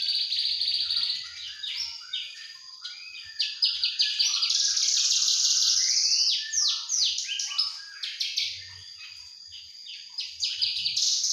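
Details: Javan bush lark juvenile sings continuously: dense high-pitched chattering, quick downslurred notes and buzzy trills that swell to a loud rapid flurry before easing into varied chirps; intended as a mastering recording.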